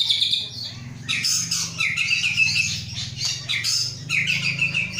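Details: White-rumped shama of an Aceh bloodline, a captive bird hatched 23 August 2012, being readied for a breeding cage: continuous rich song of varied whistles, chirps and rattling phrases over a steady low hum.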